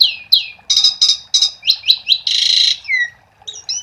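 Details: Asian pied starling in lively full song, used as a lure to prompt other starlings to sing: a rapid run of descending whistles, buzzy rasping bursts and a long harsh note, ending in short chattering phrases.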